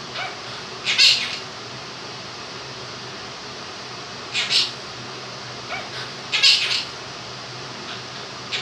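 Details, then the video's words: Male Quaker parrot, two years old, kept as a pet indoors and trained to talk; three separate short, raspy vocal bursts spread over several seconds, the gaps filled by a continuous fan hum. "Quaker Parrot sings 'Happy And You Know It'"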